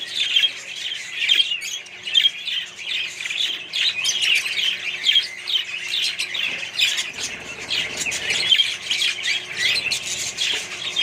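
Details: Budgerigar colony housed alongside other birds: steady, crowded chirping and harsh squawks, rising and falling in loudness about once a second.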